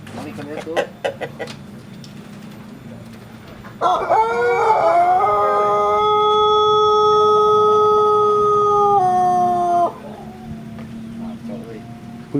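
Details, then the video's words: Pelung chicken from a breeding community in Sukabumi regency, crowing while sunning in the morning. After a few seconds of clucking, one loud, very long crow rings out, held level and steady for about six seconds before it breaks off. "CACAKAN keur MOYAN tapi ciga anu keur KONTES/GACOR SUARANA"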